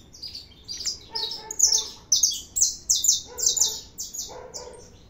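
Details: Saffron finch singing a lot: a loud, rhythmic run of high, rasping chirps repeated about twice a second, each note with a lower buzzy undertone, over a quiet background.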